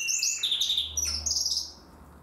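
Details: Young Timbrado canary from 2020 practising its song: a run of high whistled and trilled phrases, some sliding downward, others held level, ending in a fading tail.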